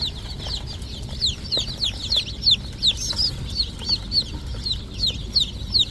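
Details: Chickens in a farm setting, sharp high chirps sliding downward, louder individual peeps standing out every half second or so above a crowded chorus and low background hum.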